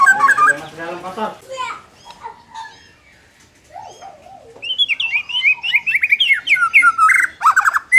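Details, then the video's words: White-rumped shama, played to make a less aggressive bird more competitive: harsh, buzzy rasping notes open, then near silence with a soft low warble, followed by a fast burst of bright whistled and chattering phrases. "suara ini dapat mengatasi murai batu kurang ngotot"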